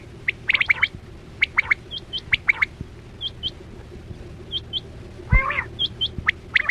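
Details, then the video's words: Quail lure for net hunting: rhythmic sharp high double notes alternating with thinner, higher chirps, one harsh rasping burst midway, and a faint low hum throughout. "Sound Of Chora Quail Batera"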